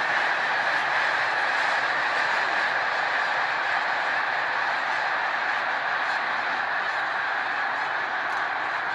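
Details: Snow geese at Middle Creek in 2022, a dense massed chorus of overlapping honking calls that forms a steady, unbroken wall of sound with no pauses.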